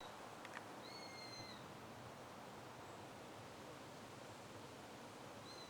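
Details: Eurasian sparrowhawk calling near a pair's nest in an old beech tree, with a holm oak close by: two drawn-out, level, thin whistles, then a faint third at the close, over steady hiss.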